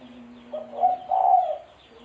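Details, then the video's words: Spotted dove call, used to lure birds for trapping: one phrase of a short quiet note rising into two full, deep, mellow coos, the second longer and slightly wavering, against a low steady hum. "Suara Burung Tekukur-Suara Tekukur Buat Pancingan Mikat"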